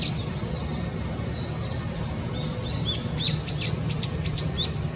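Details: Long-tailed tit (Aegithalos caudatus), 17 April 2020: thin, very high-pitched calls, soft at first, then a quick burst of sharp, slurred notes near the end, over a low rumble.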